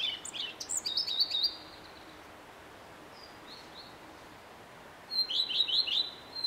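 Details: Common redstart male in song, which lasts from early morning to evening; a high sweet note leads into a rapid run of repeated descending notes and a jumbled twittery finish, then a long silence before the next phrase.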